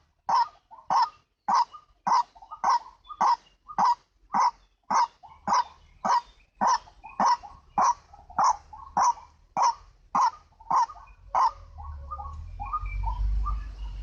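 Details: White-breasted waterhen, recorded as a lure sound for catching the bird: loud, harsh croaking notes repeated steadily almost twice a second for about eleven seconds, then trailing into softer calls over low rumbling background noise.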